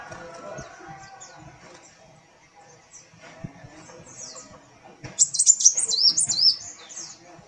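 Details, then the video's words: Sunbird (kolibri wulung) singing, tail swaying as it sings: a burst of rapid high twittering notes with sharp rising and falling sweeps near the end, after quieter scattered chirps and faint low background sounds. "Kolibri Wulung Gacor"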